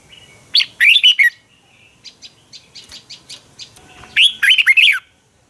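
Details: Red-whiskered bulbul singing a morning fighting song used to train and rouse captive birds; two loud bursts of warbled, rapidly modulated whistles around a second long, separated by a run of softer short chirps, with faint overlapping calls.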